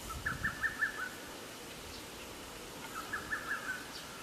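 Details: Lesser cuckoo singing at Atarashiki-mura, Moroyama, Japan, on 24 May 2020: two faint, quick staccato phrases of five or six sharp notes each, separated by a short pause, over a hushed rural background.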